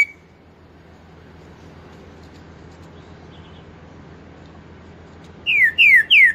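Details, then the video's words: A green-winged saltator of the Pantanal type, singing the 4-note "boi" song: after a long stretch of low steady hum, three loud, clear whistled notes, each sliding downward, in quick succession at the end. "TRINCA FERRO pantaneiro 4 nota boi um CANTASSO"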